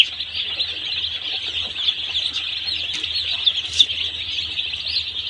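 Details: One-day-old chicks at a poultry farm fill the air with a steady, high, shimmering mass of peeps, only an occasional louder note rising above the crowd.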